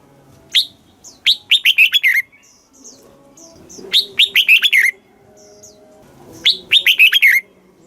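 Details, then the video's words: Red-whiskered bulbul in a cage, Thailand, repeating a southern master-style song meant to stimulate birds and teach chicks: three bursts of fast descending whistles, separated by pauses with soft distant chirps and low hum. "เสียงนกกรงหัวจุก สำหรับต่อ หรือ เปิดให้นกคึก เสียงเพราะๆ"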